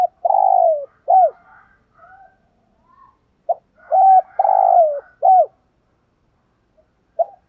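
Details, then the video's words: Several loud coos from a decoy spotted dove used to provoke rival males, long burry notes alternating with short hooked ones, with faint higher chattering notes mixed in. "Chim Cu Mồi + thúc kích bổi hiệu quả hàng ngày"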